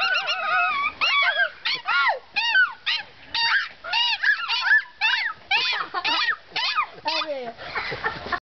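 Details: A cockatoo at Plantaria in Kevelaer, Germany, laughs in quick bursts of nasal, rise-and-fall "hee-hee" notes, about two a second, ending in a short rasp.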